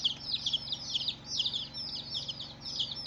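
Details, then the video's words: Colored baby chicks peeping in clustered bursts of high, sharp descending chirps, several birds calling together with brief gaps between volleys over a soft background hum. "Baby "Chicks Chirping" Sound"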